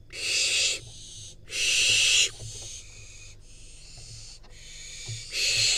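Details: Barn owl fledgling, wild, in Israel, as parents deliver a rodent: loud rasping hiss-screeches alternating with quieter, softer hisses, each lasting about a second, with faint tapping beneath.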